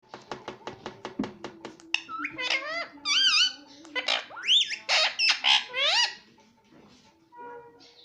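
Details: Pet green ringneck parrot talking, imitating the words "mummy papa"; a run of rapid clicks opens, then a string of harmonic, rising and falling voice-like syllables in bursts, ending with a soft low tone.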